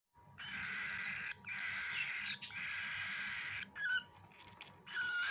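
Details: Baby cockatiel eating food, giving long harsh raspy begging calls, broad hissing bursts held for over a second each, with short gaps between them.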